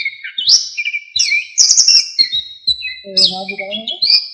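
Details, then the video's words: Orange-headed thrush (anis kembang) song used as master material for cage songbirds: quick whistled phrases and high sweeps, a brief pause, then further whistles alongside a lower, harmonic-rich note. "KICAUAN ANIS KEMBANG GACOR FULL ISIAN"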